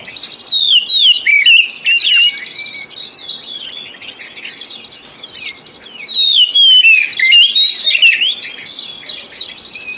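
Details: Oriental magpie-robin lure song, played to coax reluctant caged birds into singing. Two loud bursts of rich, varied whistles, slurred and rising-falling notes mixed with sharp chirps, separated by quieter pauses with a faint background hiss.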